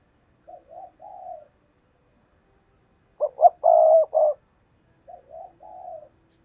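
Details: Decoy spotted dove urging wild doves closer for trapping: soft two-part coos, a loud phrase of clipped notes and a sustained coo, then soft coos again.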